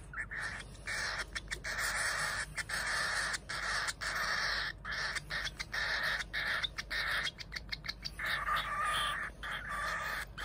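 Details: Cockatiel chicks being hand-fed, two siblings hatched the same day, giving harsh, grating churring begging calls in long runs broken by short gaps.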